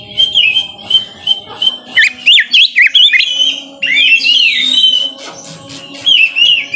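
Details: White-rumped shama song meant to draw lazy shamas into singing: steady whistled notes giving way to rapid zigzag warbles and bright rising phrases, with faint clicking in the background.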